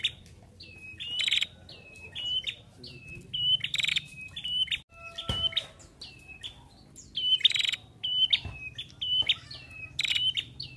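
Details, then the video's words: A female prinia, calling to stimulate other prinias, gives quick, high chipping notes with short upward hooks. The notes come in rapid runs several times a second, over a faint low rumble. "Prenjak Betina Gacor"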